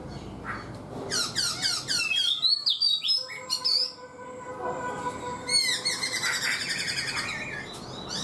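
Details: A caged black-throated laughingthrush, four months in captivity, delivers quick high chirping trills, then sliding whistles and bursts of rapid high-pitched notes, with a steady background hum.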